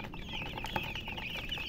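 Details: Young chicks peeping steadily: many small, shrill, wavering chirps overlapping in a continuous chorus, over dull low background noise with one soft knock.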